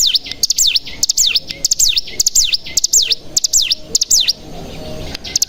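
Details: Cigun lure song meant to make caged mountain tailorbirds sing: loud, high, swooping V-shaped whistles in quick steady succession, with clicks between them.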